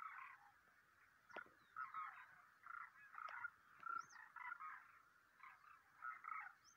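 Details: Demoiselle cranes in a migrating flock in March 2023 give rolling, croaking calls that overlap in bursts about every half second, with a few higher squeaky notes and a faint background hiss.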